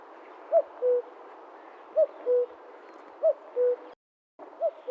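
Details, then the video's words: Cuculus canorus, the Common Cuckoo, recorded in the wild: three evenly spaced mellow 'cu-coo' calls, high note then lower longer note, followed by a short silent break and the start of another call. "Common Cuckoo Sound – Song & Bird Calls"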